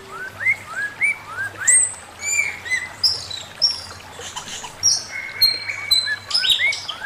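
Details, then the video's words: Male Chinese hwamei giving master song: a run of rising slurred whistles near mid pitch, about two per second, then very high thin whistles and sharp notes in a varied, loud, quick sequence. "Burung poksay mandarin suara masteran Poksay mandarin jantan"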